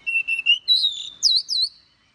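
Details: Oriental magpie-robin morning song, described as a long-drawn forest-voice style: three short level whistled notes, then a higher sustained whistle followed by two bright warbled upswept notes.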